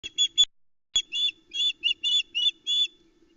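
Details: Ospreys at a nest cam in the Arkaig Community Forest, Loch Arkaig, on 7 July 2020: the hungry family mobs the male arriving with a small whole trout. Loud, clear whistled chirps in rapid, closely spaced bursts, over a low steady hum.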